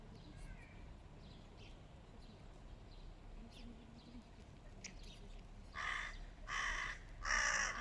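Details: Hooded crows fighting a stray cat: after several seconds of low rumbling background noise and faint distant sounds, three harsh, grating caws burst out in quick succession near the end, growing louder.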